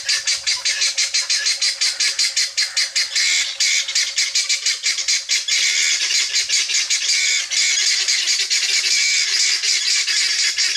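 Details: Helmeted guineafowl foraging free range, a loud continuous stream of harsh grating squawks from the flock, rapid pulses running together with no pauses.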